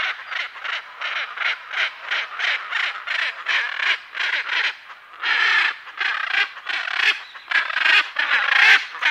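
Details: Calls from a pair of Hyacinth macaws, other parrots and birds behind: loud, harsh, grating squawks repeated steadily, roughly one or two per second, with longer rasping calls near the end.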